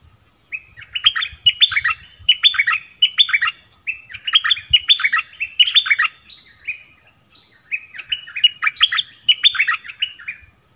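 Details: Nok dok taeng dueling with wild birds in its 'double' song style. Repeated strings of lively chirped notes, bright and tumbling, grouped in three long runs separated by brief pauses, with faint low knocks beneath.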